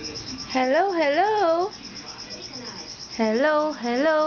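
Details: Moluccan cockatoo kept as a pet, copying human words: two drawn-out, wavering voice-like phrases, each rippling up and down in pitch for about a second, separated by a quiet gap.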